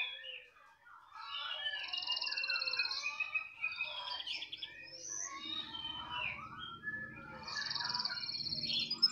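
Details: Caged canary in full song: varied warbling phrases with quick trills and slurred whistles, a low rhythmic hum underneath from about the midpoint.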